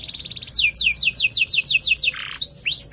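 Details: Dense tembakan phrase from a white-rumped shama master recording meant to train songbirds. Rapid, steeply descending whistled notes follow each other several times a second, then a short hoarse buzz and a few separate swooping notes.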